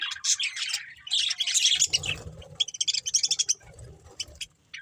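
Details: Budgie breeding pair chattering: energetic bursts of shrill twittering and squawky chirps early on, followed by a run of quick, evenly spaced short chirps that fades toward silence.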